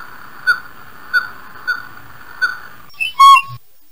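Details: Northern Pygmy-Owl in Idaho gives four mellow, whistled toots, evenly spaced about every two-thirds of a second, followed by a brief louder squeaky burst.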